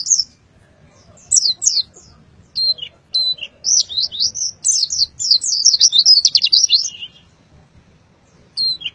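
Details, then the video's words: Pleci (white-eye) in Boyolali delivering a full 'isian' song: scattered high chirps build into a fast, dense run of sharp twittering notes around the middle, then taper off to a few last chirps. "Kicau Pleci Full isian Buka Paruh Sobek-sobek"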